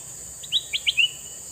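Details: Male red-eyed sooty-headed bulbul producing four clear, chirpy notes in quick succession, the last slightly slurred and trailing, above a persistent thin high-pitched hum.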